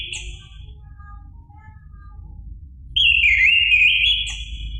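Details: Orange-headed thrush song, ngeplong style, played to stimulate a caged bird. A brief whistle at the start, a quiet gap with faint notes, then a loud, rich, wavering phrase that dips and rises again.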